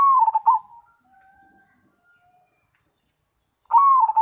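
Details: Caged zebra dove of the black cemani type in full song, giving a bright rolling coo that slides downward, a long silence, then the same rippling phrase starting again.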